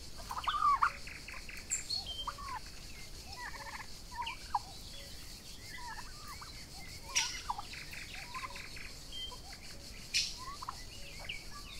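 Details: Young Royal Palm and Broad Breasted White turkeys grazing together outdoors on a summer day give rapid rattling gobbles in several bursts, mixed with scattered short chirps and yelps from the flock. A faint high bird whistle sounds behind.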